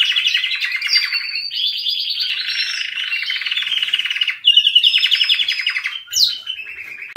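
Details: Canary song in unbroken rapid rolling trills, shifting between several pitches, with a short rising whistle near the end.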